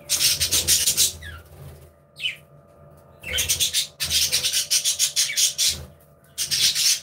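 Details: Happy budgerigars in an aviary; loud rapid raspy chattering in fast pulsed bursts lasting about a second, broken by short rising chirps, over a faint hum.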